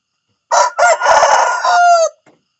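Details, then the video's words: Morning cock-a-doodle-doo from a rooster, recorded close and loud: a short opening note, then a long, raspy, sustained middle and a drawn-out ending that falls away, about one and a half seconds in all. "the sound of a rooster in the morning"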